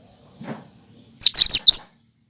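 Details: Cucak kinoi natural song, without borrowed phrases, used to prompt and lure birds: one loud phrase of four quick, shrill, tumbling notes after a brief low rustle.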